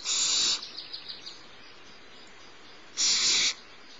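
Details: Barn owl nestling, smallest of the brood, fed by the female at Starr Ranch in March; two loud hissing screeches framing a run of faint rapid ticking notes.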